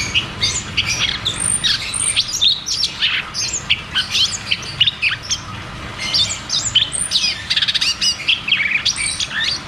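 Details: Cucak cungkok song in the 'ngeroll tembak' style, a lure for caged birds that have stopped singing: continuous high chattering chirps and quick upslurred whistles in uneven bursts.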